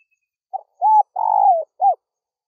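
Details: Spotted dove call used to attract wild doves: a single phrase with a faint short note, an arched coo, a long coo sliding down at the end, and a brief final note, in clean silence.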